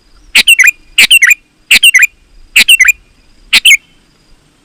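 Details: Sooty-headed bulbul, played to call other bulbuls: five bright, chattering phrases of three or four quick chirped notes with falling whistled endings, about one per second.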